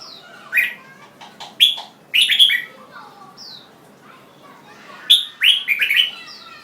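A red-whiskered bulbul gives short, bright, bubbly whistled phrases in quick bursts, pausing briefly mid-way before another lively run. Soft background hiss throughout.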